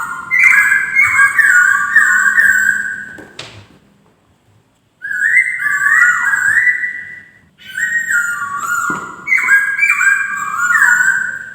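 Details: Poksay (white-crested laughingthrush) singing melodious, sustained clear whistles around one pitch level, stepping up and down in long phrases separated by short pauses, with a brief silent gap mid-clip.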